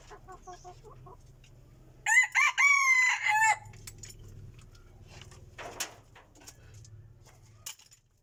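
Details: Decoy rooster giving a clear, loud crow of about a second and a half in several linked rising-and-falling sections. Softer repeated clucking comes first, then a sharp knock and quiet background noise.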